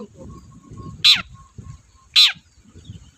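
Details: Long-tailed shrike giving two loud, harsh, descending rasps about a second apart, used as a lure to prompt silent shrikes, over a low rumbling background and a faint steady tone.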